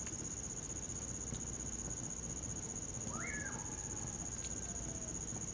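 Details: Common pauraque singing in winter: one clear whistled note swings sharply up, then slurs down in a long fading tail. Crickets hold a steady high trill throughout, with a fire crackling close by.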